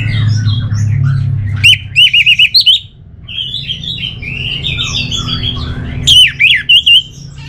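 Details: Orange-headed thrush delivering loud quick series of rising whistled notes, twice, separated by softer mimicking twitters and squeaks, against a low humming background.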